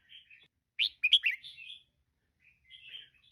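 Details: Caged female red-whiskered bulbul: quiet twittering, one loud lively phrase of sharp liquid notes near the middle, then faint chatter again.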